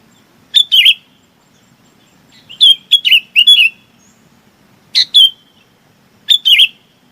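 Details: A bulbul gives scattered short chirps and brief bubbly phrases to call its flock, some notes sharp and clipped, others slurred downward, over quiet low background hum.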